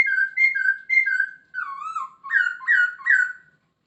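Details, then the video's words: Masked laughingthrush in full, chatty song: paired two-tone whistles repeated three times, a dipping slurred phrase, then three bright rising-falling whistles delivered in quick rhythm. "Poksay Hongkong gacor full isian dijamin langsung nyaut"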